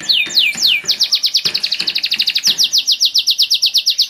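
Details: A purebred Spanish Giboso canary in a cage sings three slow falling whistles, then breaks into a fast, bright, regularly pulsed trill that continues steadily to the end.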